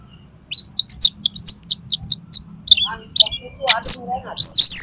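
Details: Oriental magpie-robin song for tutoring contest birds and prompting them to sing: a fast run of high, repeated whistled syllables, then harsher, scratchy and varied notes, and a loud sustained final phrase.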